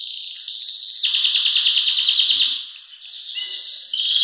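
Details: Belgian canary singing very strongly, a model for training young birds: a continuous fast high trill that steps down in pitch, then sustained whistled notes and short flourishes.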